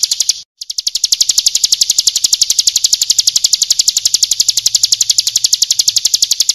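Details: Ciblek kristal, the bar-winged prinia, with a full song meant to teach caged birds. A brief trill breaks off, then a long, very regular high-pitched rattle of quick sharp notes continues throughout, with a faint low hum behind it.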